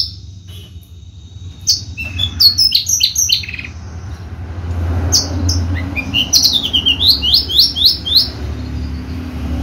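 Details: Javan Horsfield's bushlark, a caged contest bird, singing: scattered high chirps and rapid descending slurred notes, ending in a quick run of repeated downward-sweeping whistles, over low background hum.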